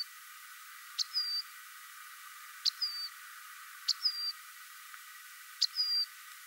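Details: Rock wren repeating a two-part call four times, about every 1.6 seconds: a sharp tick followed at once by a short, high, level whistled note.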